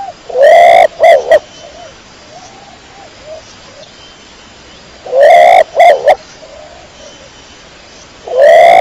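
A pigeon gives loud, throaty coos in two or three quick bursts, repeated about every four seconds, with softer cooing between.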